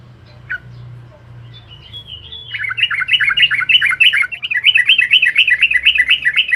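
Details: Yellow-vented bulbul (trucukan) in lively song intended to provoke rivals: a sliding whistle leads into a sustained, fast stream of bubbly, chattering notes, repeated several times a second and growing louder.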